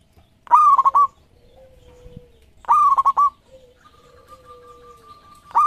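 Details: Local zebra dove, a champion lure singer, gives two loud pulsing coo phrases about two seconds apart and starts a third, with soft low drawn-out notes and a thin level whistle between them.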